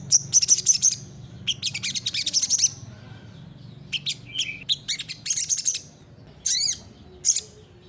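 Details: Olive-backed sunbird song used as a master recording for training other birds: bursts of very high, thin chirps and sharp trills in short phrases separated by brief pauses, with a low steady hum underneath.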